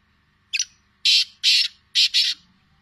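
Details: Black francolin, Sindhi type, with a crisp rasping note followed by two pairs of loud, harsh, grating syllables, steady and rhythmic, over a soft low hum.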